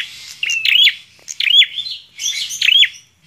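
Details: Three clear phrases from a singing bar-winged prinia, each a sliding whistle broken into rapid stuttering notes, spaced under a second apart.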